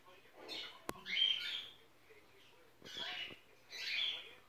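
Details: Six-month-old female pet sun conure at home on her first Christmas, watching the film Die Hard. Three harsh, raspy screeches about a second apart, separated by quiet, with a sharp click near the start.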